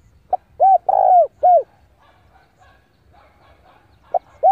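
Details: Spotted dove kept as a decoy, cooing to draw in rival birds for a fight; a clipped note and three arched hollow coos, then faint background calls, and a new phrase starting.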